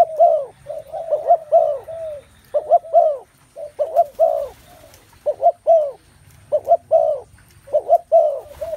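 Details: Dense overlapping cooing of many spotted doves, arched soft notes in rapid pairs and triplets, continuing steadily throughout over a low rumbling background.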